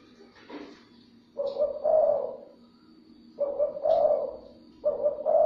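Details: Low, soft cooing from a spotted dove used to stimulate other doves: after a brief rustle, three rolling phrases follow, each opening with a short note before a longer coo, about two seconds apart.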